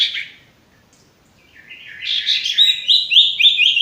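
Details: Male sirtu singing, played to train stressed or non-singing birds: a short note, a pause, then a rapid run of sharp chirps and short rising whistled notes that grows louder and steadier.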